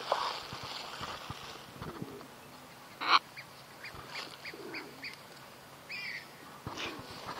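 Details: Sulphur-crested cockatoo giving a single loud, harsh, raspy screech near the middle, with softer scattered calls and chirps from other birds before and after.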